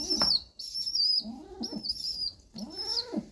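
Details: Pigeon chick begging while a parent feeds it by regurgitation: thin, high squeaky whistles repeated roughly once a second, with lower rising-and-falling tones underneath and a brief wing flutter at the start.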